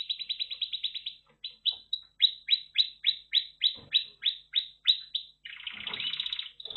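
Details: A red factor canary sings a quick pulsed trill, then evenly spaced downslurred whistles about three per second, closing with a rich buzzy roll.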